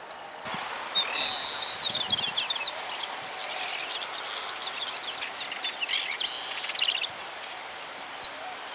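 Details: Double-collared seedeater, juvenile male, central Argentina: two bursts of high, rapid twittering notes, the first longer and louder, the second shorter near the end, with steady outdoor noise and other faint chirps between.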